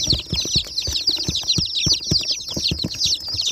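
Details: A crowd of new, brightly coloured baby chicks peeping shrilly, with high, falling notes pouring out nonstop. Low thuds and tapping, like movement or handling, are heard beneath.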